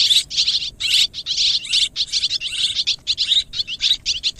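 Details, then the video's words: Swiftlets calling together, bursts of high, bright twittering chirps, each burst under half a second, broken by short silences in a quick irregular rhythm. "ສຽງນົກແອ່ນ ຮ້ອງປະສົມ Tiếng én, Tiếng Chim Énเสืยงนกแอ่น"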